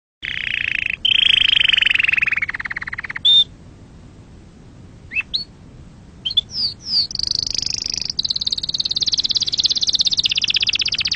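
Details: Original canary song for teaching chicks and for mating: a rolling trill falling slightly over about two seconds, scattered short notes and pauses, then a long high, fast trill to the end.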